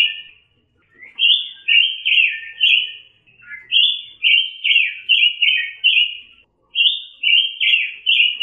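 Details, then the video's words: Orange-headed thrush from Indonesia, used as a master bird for other songbirds, delivering a continuous run of loud, rich warbled phrases of high whistled notes. Brief pauses separate the phrases. No other sounds are heard. "KICAU BURUNG PANCAWARNA || ROBIN BIRD VOICE"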